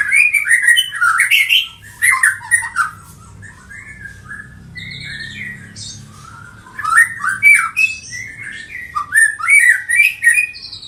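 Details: Six-month-old juvenile white-rumped shama of the Medan type, colony-bred, eighth generation, singing: loud, varied whistled and warbled phrases with quick rising and falling notes and sharp high chips, separated by a quieter pause with a low hum.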